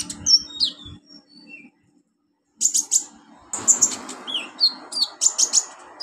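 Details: Olive-backed sunbird song used as tutoring material for beginner captive birds: thin high chirps and downslurred whistles, a near-silent gap, then a dense burst of rapid sharp twittering notes.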